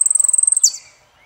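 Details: Saffron finch song in the style called El peregrino: a fast, even trill of high sharp notes, about twenty per second, ending in a bright downward slur, with a clean, quiet background.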